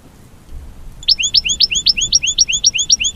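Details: Mating song of an American goldfinch, starting after a second of near silence, then a brisk, steady series of bright rising whistled notes with faint accompanying chips, roughly four per second.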